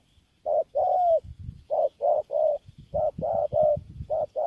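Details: Spotted dove in Kon Tum giving mellow low coos in a steady sequence of short and drawn-out notes, pairs repeating roughly every second, over soft low knocking sounds in the background.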